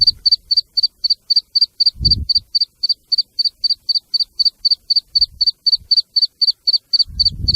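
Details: Black francolin chicks and female calling: thin, high peeping notes repeated steadily about four times a second, with a few low thumps of handling noise.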